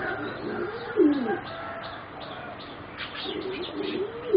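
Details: Young singing zebra doves bred for competition, aged about three and a half to four months. Two brief arched, purring coos come about three seconds apart, with faint chirps and background noise between them.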